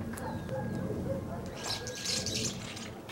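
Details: A big winter flock of common starlings (Sturnus vulgaris) feeding on sophora pods in an old tree in Sudak, Crimea, chatters with overlapping short whistles, clicks and harsh rasps, growing louder and scratchier midway, over a low background rumble.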